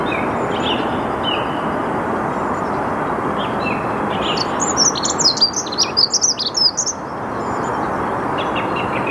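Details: Dunnock singing in the early morning of 8 March 2022 at 08:55 at Saarn-Mendener Ruhraue, Mülheim an der Ruhr, recorded on a Canon EOS R5. Its high, rapid, jingling warble lasts about two and a half seconds, with scattered thrush notes over a steady rushing background.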